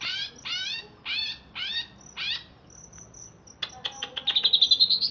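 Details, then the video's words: Greater green leafbird from Alas Purwo, Banyuwangi, caged and freshly bathed, gives five buzzy notes with stacked sweeping tones. Thin whistles and clicks follow, then a fast, high, rising trill. "Cucak Ijo Alas Purwo Banyuwangi Crewet"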